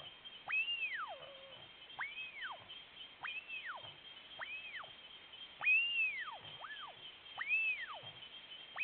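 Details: A male blue-billed curassow, recorded in January 2021, gives thin arched whistles, each rising then falling, about one per second, over a steady high insect drone.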